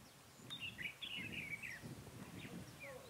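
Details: Red-whiskered bulbul singing as a lure to trap wild bulbuls, 23 October 2017. One lively phrase of chained whistled, warbling notes lasting over a second, with faint quieter notes afterwards and low background rumble.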